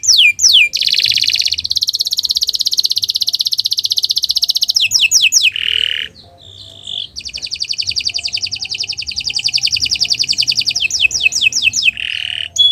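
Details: Canary singing a long song for training other birds: extended fast buzzy trills broken by short falling whistles and brief lower notes, a quiet gap near the middle, then another long rolling trill.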